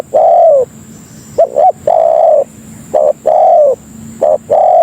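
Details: Spotted dove (tekukur) lure call aimed at attracting other doves: soft, low drawn coos, some preceded by a quick double note, the long notes falling slightly at the end, repeated in a steady rhythm.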